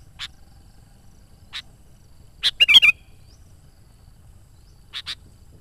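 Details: Sooty-headed bulbul (Pycnonotus aurigaster) giving brief, bright chirps every second or so, then a quick bubbly run of four fluty notes, against a quiet background; song used to lure wild bulbuls and stimulate caged ones.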